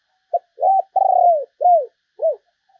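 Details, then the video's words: Decoy spotted dove calling to draw in other doves: a single mellow phrase of five low coos, starting with a brief note, then a long purring coo and two short downcurved coos, against silence. "chim cu gáy kích bổi mới"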